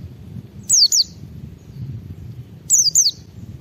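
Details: White-eye, locally called pleci, singing to provoke other white-eyes to respond: two quick bright descending whistled notes, then a pause, then another matching pair, with soft low rumble underneath.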